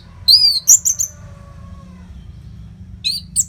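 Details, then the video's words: Orange-headed thrush song used as a training recording for fighter birds: two short bursts of high whistled, slurred notes around the top of the range, separated by a long silent gap. "COBA SUARA MASTERAN ANIS MERAH GACOR RAPET NO JEDA INI UNTUK MELATIH FIGTHER BURUNG AGAR SELALU FIT."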